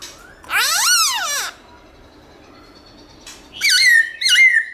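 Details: Black-throated laughingthrush singing its morning forest-style song with changing voice: a loud, rich, arched whistled swoop, a pause, then two sharper rising-falling whistled phrases that hold a steady note.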